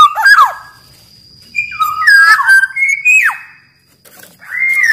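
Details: Black-naped oriole singing as a master and lure recording: clear, liquid whistled notes sliding down, then a run of rising and falling fluted phrases, a quiet gap, and a final drawn-out whistle.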